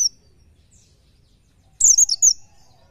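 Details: Oriental white-eye, fast 'nembak nyepeed' tutor song: after a quiet pause, a brief, shrill flourish of a few rapid, slurred high notes.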